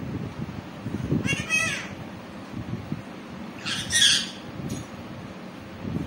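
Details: Green parrot talking indoors: two short, harsh, buzzy bursts about two seconds apart, separated by quiet room noise with low rumble.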